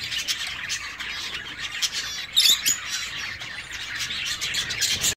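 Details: Zebra finches kept in an aviary produce a busy mix of short nasal beeps and chirps, with one louder burst of calls midway.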